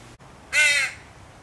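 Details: Baby crow screaming at its mother for food, a single harsh, rasping caw lasting under half a second against a quiet background.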